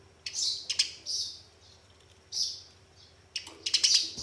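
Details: Eurasian tree sparrows fighting, played as a lure for caged birds: scattered harsh, buzzy high chirps in short bursts, with a dense tangle of chirps near the end.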